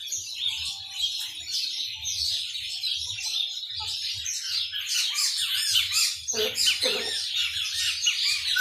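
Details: Chopi blackbird singing in the maranhãozinho style: a dense, continuous run of high chirps, trills and short whistles, with a few lower slurred notes near the end and a faint low hum underneath.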